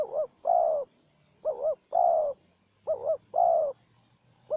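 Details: Wild spotted dove answering a decoy bird: a rhythmic series of three full phrases and the start of a fourth, each a quick wavering double coo then a long steady coo, over a faint low hum.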